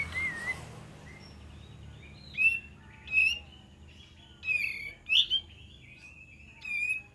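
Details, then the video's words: Lure recording of an olive-winged bulbul, clear bubbling whistled phrases in bursts about every second or two, each short and slurred, with a quiet low background hum between them. "PANCINGAN KAPAS TEMBAK DIJAMIN NYAUT"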